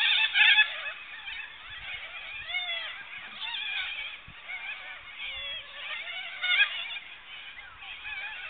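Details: Cockatoos around a campsite: a dense chorus of overlapping harsh squawks and wavering screeches, continuous throughout with louder bursts at the start and near the end.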